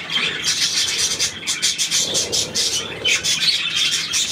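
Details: On 9 February 2024, budgerigars twitter and warble in a busy jumble of high chirps, pulsing in short bursts with a few quieter gaps between them.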